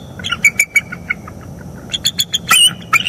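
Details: High squeaky chips from a wild bald eagle pair at their northeast Florida nest, recorded by a live camera on the morning of 25 October 2021 during mating. Quick staccato notes, some slurred, come in loose bursts.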